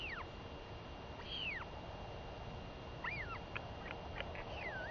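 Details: Vocal female royal albatross chick begging from her mother, just back after a week away, 23 May 2021; one long arched whistle followed by a run of short, choppy, wavering notes, with background hiss throughout.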